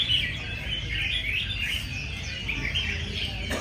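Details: Many caged red-whiskered bulbuls singing against each other at a competition session crowded with enthusiasts: dense overlapping bright warbled whistles, with steady low crowd murmur and rumble underneath.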